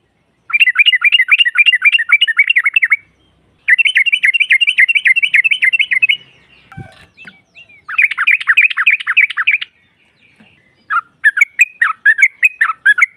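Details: Yellow-vented bulbul female, whose song is played to stir rival trucukan into answering: long, fast, bubbling chatter runs of two to three seconds, separated by short silences, with a softer broken phrase between them.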